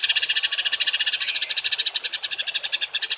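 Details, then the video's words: Harsh 'tembakan kasar' songbird material meant for tutoring caged birds in rough shot notes; an unbroken, fast train of grating buzzy pulses, steady and loud throughout. "MASTERAN BURUNG TEMBAKAN KASAR || Suara Masteran kasar langganan juara"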